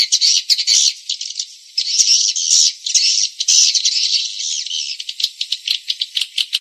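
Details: Swiftlet chatter played to attract birds to a farming house: sustained harsh, buzzy twittering in overlapping bursts, ending in a fast series of sharp clicking chirps, about two per second.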